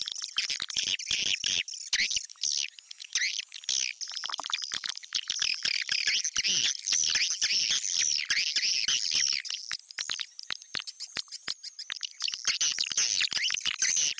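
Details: Calls of swiftlets meant to attract them into a swiftlet house: a long, unbroken stream of high-pitched twittering and chattering notes, fast and irregular, with brief gaps.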